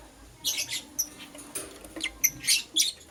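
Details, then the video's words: Morning chirping from lovebirds, a green Personata and a yellow pastel pied: short, shrill high squeaks in quick irregular bursts, about three or four a second, with brief pauses between. "Lovebird Chirping Sounds"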